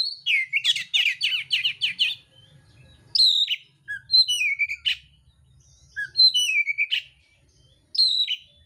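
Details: Mintal oriental magpie-robin delivering fighting song with rough fill-ins. A rapid rattle of repeated chirps opens it, then separate high whistles fall steeply, with soft low thuds beneath.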